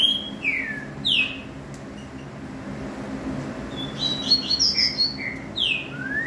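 Green-winged saltator singing clear, sweet whistled phrases of falling slurred notes, then a quicker cluster of high notes, over a low steady indoor hum.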